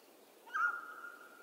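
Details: One clear mountain quail call from western North America, a loud, sharp onset flattening into a long, level, whistled tone that fades slowly over about a second against quiet background.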